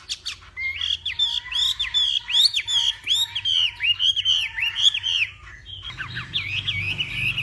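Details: Morning training song of a northwestern Vietnamese hwamei for contest singing: strong arching whistled phrases repeated about once a second, then a quicker change of pattern with lower background rumble.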